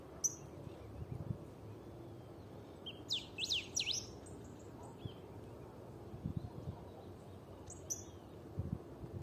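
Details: Black-backed grosbeak (Pheucticus aureoventris), song.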